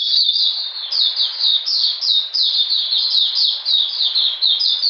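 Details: Brief burst from an Oriental magpie-robin in cold, rainy weather, 13 June 2020: quick, evenly flowing high chirps and slurred whistles, densely packed.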